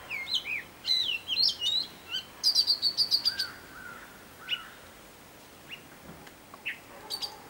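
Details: Robin showing its mimicry with a loud, busy tune: rapid high chirps and slurred whistles, a quick run of repeated notes around three seconds, then sparser lower whistles trailing off.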